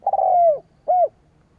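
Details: Spotted dove luring rivals with its call: a long, hollow coo that slides gently downward, then a shorter rounded coo after a brief gap, clear against a quiet background.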